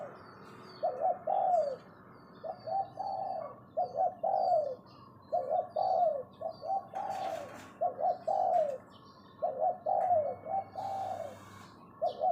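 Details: Captive spotted dove used as a decoy, giving its 'phao' luring call: mellow, hoarse coos in short groups of two or three notes, repeated through the clip, with faint high chirps of small birds behind.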